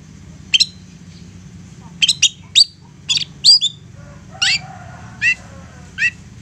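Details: A persistent, agitated long-tailed shrike, used as a lure to provoke other shrikes into responding, giving harsh, scratchy high notes in short irregular bursts, some doubled, over a faint low hum.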